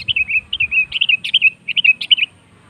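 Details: Sooty-headed bulbul singing a lure song meant to prompt other birds to sing: lively bubbly whistled phrases, quick warbling notes in three clustered bursts over about two seconds, faint low hum underneath.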